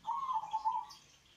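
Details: Lure recording of a local zebra dove with a deep voice: one fast, throbbing, purring coo of about a second, steady and then tapering away, with quiet hiss behind.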